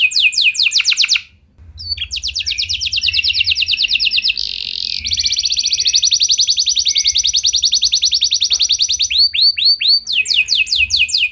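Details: Canary song used to prompt other canaries into long singing, with fast repeated rolling trills of rising notes, long sustained buzzy rolls and brief pauses between phrases.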